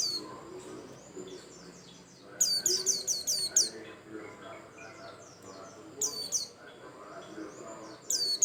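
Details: Spirited white-eye song played to get other birds singing: rapid runs of high, thin, falling twitters, including a dense burst of about six notes, over faint speech and a low background murmur.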